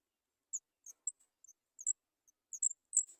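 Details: Sooty chat chicks, three young waiting to be fed, beg with a rapid string of thin, very high squeaks, around a dozen short notes in three seconds, growing louder and closer together toward the end.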